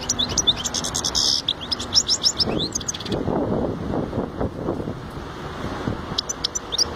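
A European goldfinch sings quick, high, tinkling twitters for a few seconds, then again briefly at the end. A low rumble of traffic or voices fills the middle.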